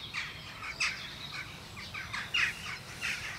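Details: Western jackdaws perched on Ringenberg Castle's weather vanes in the morning, filmed with a Sony FDR-AX100; a few short, clipped, squeaky calls spaced irregularly about half a second apart, over a faint hissing outdoor background.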